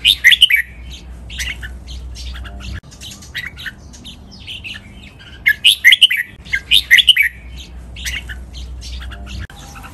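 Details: Red-whiskered bulbul song for training captive birds to copy, in styles called double 23 counted notes, mae bot, lak wai and Pa La-u song: short bright warbled phrases in two bursts about five seconds apart, with quiet gaps and faint low hum.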